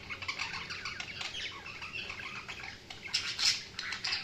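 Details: Budgerigars giving a busy stream of chattering chirps and scratchy warbles, with a louder squawky burst toward the end.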